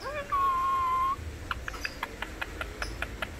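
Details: Indian ringneck parakeet that imitates the words "mikum" and "peekaboo", uttering a steady nasal voiced note lasting nearly a second, then a series of rhythmic clicks repeated about every fifth of a second.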